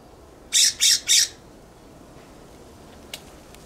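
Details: A single burst of three loud, harsh, rasping scold notes in quick succession from a California scrub jay perched on a backyard plum tree, followed by quiet with a faint click.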